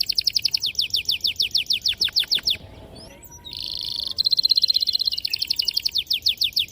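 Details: Canary in long, continuous song, played to lure young canaries into singing: a fast series of sharp, clear descending whistled notes, a brief pause, then a rapid buzzy roll and a repeated chirping trill.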